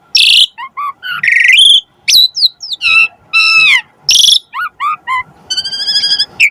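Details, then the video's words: Asian pied starling, a varied song meant to spur other starlings into full singing: harsh rasping bursts mixed with upslurred whistles, a series of bent whistled notes, and a closing run of steady harmonic tones. "Suara Burung Jalak Suren"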